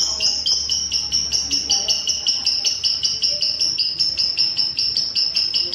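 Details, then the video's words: Lovebird sounds used for training caged birds: a rapid, steady series of sharp, high chattering notes repeated nearly three times a second throughout, over a faint noisy background. "Suara burung love bird untuk setingan"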